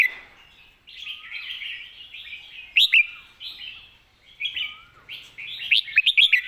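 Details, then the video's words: Red-whiskered bulbul in master-song style: continuous chattering warbles from several birds, with clear quick whistled phrases rising out twice, the last a rapid run of five or six bright notes. "เพลงแม่บท นกเสียงทอง"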